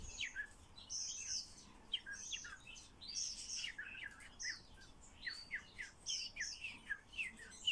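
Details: Common starling being trained to talk: a run of short, high chirps, whistles and squeaky notes, some sliding down, delivered in quick irregular bursts with brief pauses, over a faint low room hum.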